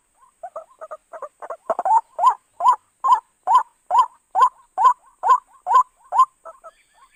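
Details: White-breasted waterhen lure call for trapping: it starts with soft, broken double notes, then swells into a loud, regular series of rising kruak calls about two per second, and fades back to quieter paired notes.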